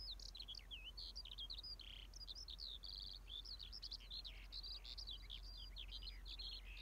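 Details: Skylark singing a continuous, rapid stream of high chirps, trills and short whistled notes without pause, over a faint low hum.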